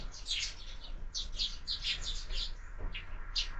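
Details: Morning sparrows on a window-mounted feeder where birds are fed all year call in short clusters of sharp, bright chirps separated by brief gaps.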